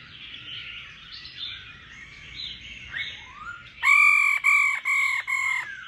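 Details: Female laughing thrush rousing a male to sing: a soft, tumbling warble with a rising slur gives way to a run of four loud, buzzy, nasal notes, each about half a second, evenly spaced.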